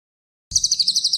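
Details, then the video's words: Cililin song from a masteran recording for champion birds: after a short silence, a high, fast trill of sharp chirping notes begins and runs to the end. "CILILN MASTERAN BURUNG JUARA"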